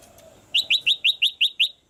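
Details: Caged female red-whiskered bulbul urging a male to sing harder: a rapid even series of seven bright, upward-slurred whistled notes, one after another with no pause.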